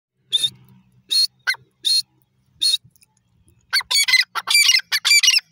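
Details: Teetar francolin, called dakni or desi teetar, possibly female: a few loud, high, harsh notes, then a dense burst of rapid screechy calls overlapping near the end.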